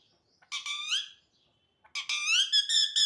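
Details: Parrot calling in two bursts of harsh, harmonic squawks, each with rising slurred notes, the second burst longer with several rapid repeated notes; background otherwise quiet.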